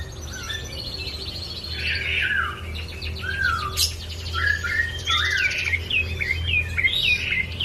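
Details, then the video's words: Bar-winged prinia singing actively: a varied run of whistled, slurred and rising or falling notes with brief trilled stretches, delivered rapidly over a steady low hum. "Burung Prenjak Coki Gacor"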